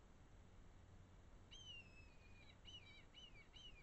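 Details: Red kite calling in the Eifel, Germany: a long high whistle sliding downward, followed by a series of short wavering whistled notes, over a steady background hiss.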